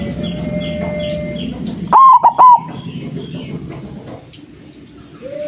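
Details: Big-voiced white zebra dove calls used to lure doves for trapping. One clear burst of three mellow coos falls mid-clip, between stretches of low background hum and faint distant notes.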